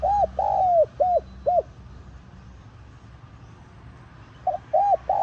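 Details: Spotted dove coo used to draw in wild doves: the end of one phrase with a long falling coo and two short arched notes, a quiet gap of about three seconds, then a new phrase starting.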